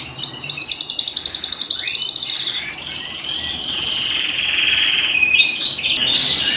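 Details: Indoor canary song opening with a fast pulsed trill of evenly spaced notes for about three seconds, then smoother sustained whistled phrases that dip and rise again.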